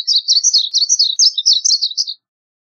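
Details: A varied bunting sings one continuous two-second phrase of high, sweet, slurred notes, rising and falling quickly in an unbroken warble, followed by silence.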